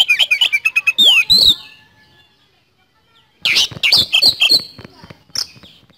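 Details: Energetic Oriental magpie-robin song called 'nembak speed roll': a quick series of sharp chirps ending in a bright rising whistle, a pause of nearly two seconds, then another run of rich, high, chattering notes.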